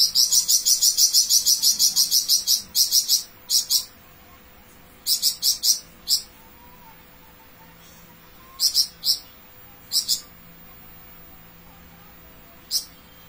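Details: Flamboyan bird singing a long phrase: a fast run of high, sharp, rattling notes in the opening seconds, followed by scattered short bursts of the same buzzy chips separated by silent gaps.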